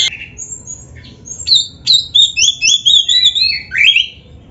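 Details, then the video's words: White-rumped shama (kacer) full training song: scattered high whistles, then a fast run of bright rising and falling whistled notes, about four a second, ending in a slurred phrase. "Suara Burung Kacer yang cocok untuk LATIHAN"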